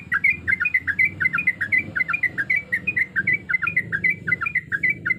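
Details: Sooty-headed bulbul female in breeding condition calling to males: rapid run of short bubbly whistled notes, rising and falling, about one every third of a second, over a low steady hum.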